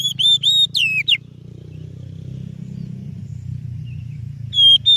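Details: Oriental magpie-robin song used to lure or train other birds: a few loud whistled notes at the start, then a long gap of low hum, and a short whistled phrase returning at the end.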